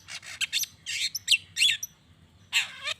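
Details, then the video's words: Long-tailed shrike vocalising to goad other shrikes into replying: clusters of rough, raspy, buzzing notes in quick succession, a short gap, then one more harsh burst at the end. "Cendet Gacor Pagi Siang Sore...Merangsang Emosi Cendet Manapun Agar Cepat Nyaut Emosi Dan Ikut Bunyi"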